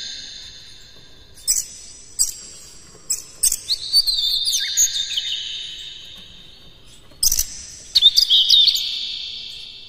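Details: Lure recording of an Oriental magpie-robin singing with imitated fill phrases: isolated sharp clicks, then a sustained high whistled passage with slurs, a pause, and a final burst of quick chirps and trills.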